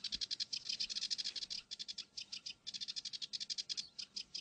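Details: Northern lapwing chicks foraging utter a steady, fast stream of short, high, rather harsh peeps, in runs with brief pauses, over a quiet background.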